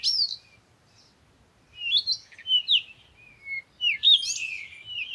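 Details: Parakeet calling with a brief chirp, a pause, then a string of rising and falling squeaky notes ending in a louder, harsher warble.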